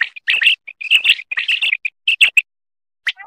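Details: Batair, the quail, in a dense burst of quick high chirps and short tonal notes that crowd together, then stop, ending with a couple of falling notes after a gap.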